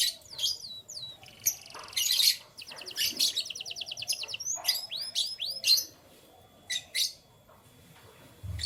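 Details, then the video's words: Pet canary singing in the morning: a lively, varied song of high whistled slurs, fast buzzy trills and rapid repeated notes, broken by short pauses, with a faint steady high tone behind. "Canary Chirping Sounds"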